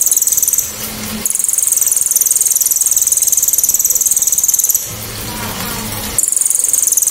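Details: Loud, sharp, clear cililin 'tembakan' used to tutor songbirds: very high, rapid pulsed trills in long bouts, separated by short quieter breaks near one second and around five to six seconds.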